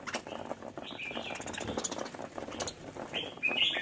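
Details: Budgies singing happily give a busy, scratchy warble broken by short whistled chirps that rise and fall, with several sharp, high squeaky notes near the close.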